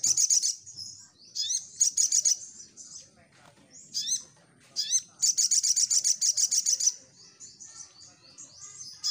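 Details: Little spiderhunter singing gacor as bait for a response: repeated long bursts of rapid, shrill, high chattering notes, separated by swooping squeaks and thin whistles.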